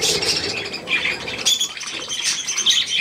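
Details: Budgerigars with their young at millet, 3 May 2024: a continuous wash of high, scratchy chirps and twitters, with brief wing flutters amid the flock chatter.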